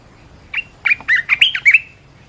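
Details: Red-whiskered bulbul delivers a single warbled phrase of about six sweet, slurred whistles in quick succession, some rising, some falling, over a quiet background.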